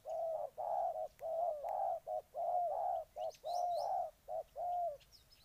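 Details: Ninh Thuận, Vietnam: a spotted dove coos steadily in rhythmic pairs of short and longer hollow notes, repeated about five times, with scattered faint chirps and clicks from other birds.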